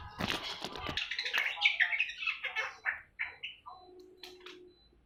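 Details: Seven-month-old awar-awar bird just beginning to sing: a dense burst of scratchy, buzzy twittering gives way to a run of short, separate chirped notes spaced about a third of a second apart, ending in a soft low steady tone.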